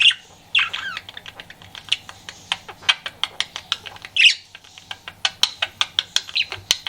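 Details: Pet budgerigar flirting: a few bright squawky chirps over a long run of rapid dry clicks and ticks, fast and rhythmic like tapping, with small chattering notes scattered throughout.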